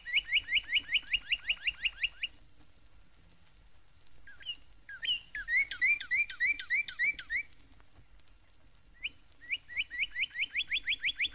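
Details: Northern Cardinal singing in Florida, where it sings throughout the year; 1969 recording. A fast string of short whistled notes, then hooked downslurred phrases, and finally a quick rising series of clear whistles.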